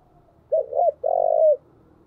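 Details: Calling decoy spotted dove: two short mid-pitched coos run quickly together, then a long pulsing coo that slides down at its close, in quiet surroundings.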